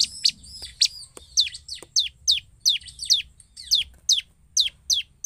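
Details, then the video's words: Bar-winged prinia in lively gacor singing, used as a lure to provoke other prinias to respond: sharp, high, downward-sweeping chirps repeated steadily about twice a second, roughly ten notes in a row, over a quiet background. "suara pancingan ciblek gacor"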